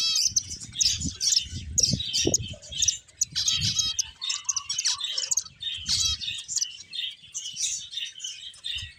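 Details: A flock of finches produces rapid high chirps and buzzy little trills in bursts, with soft low thumps of movement in between.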